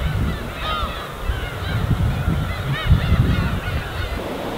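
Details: Gulls flocking and wheeling over the winter sea of Korea's East Sea, giving short, nasal, arched calls scattered through the clip above a steady low rumble of gentle waves.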